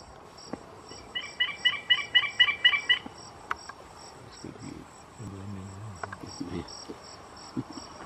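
A White-throated francolin gives a quick series of about ten ringing, grating notes over two seconds, against a steady high insect drone and some low background rumbling.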